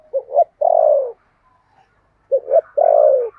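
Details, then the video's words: Decoy spotted dove with a 'thổ' voice style, used to lure other doves. It gives two short low hoots, then a long mellow coo that slides downward. After a pause the same phrase repeats. "Chim Cu Mồi giọng THỔ"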